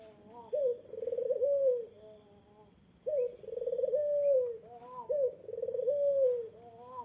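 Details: Eurasian collared dove calling so that a rival answers: three rolling coo phrases about two seconds apart, each a clipped rising note running into a vibrating purr that eases downward.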